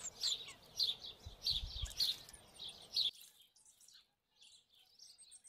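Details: Three hungry superb fairywren chicks being fed by both parents: high, thin chirps repeated roughly every half second for three seconds, then the calling stops and only faint rustling and distant high notes remain.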